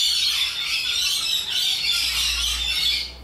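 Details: Rainbow lorikeets, boisterous wild parrots of Australia, give a steady stream of shrill, grating squawks that fades slightly at the very end.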